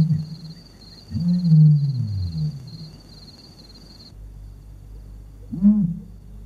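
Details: Common ostrich (Struthio camelus) in Kruger National Park, a male then a female, gives deep, rumbling booms, one drawn-out and a shorter one seconds later, over a thin, steady insect-like high whine at first.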